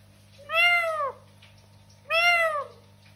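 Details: Talking parrot kept as a pet, uttering two clear, nasal meow-like calls about one and a half seconds apart, each swelling then dropping in pitch; faint room hum throughout.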